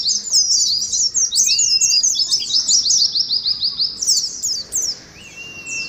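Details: 'Ngalas' contest song of Oriental white-eyes, used as conditioning audio for caged birds: a dense, fast run of high sweeping notes, slowing and thinning near the end, with a couple of flat lower whistles.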